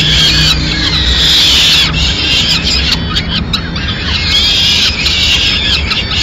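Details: Peregrine falcons in Madrid on 29 April 2016, at the moment the mother arrives with food for the chicks. Shrill, strained high squeals come in drawn-out bursts, dropping briefly around the middle before rising again.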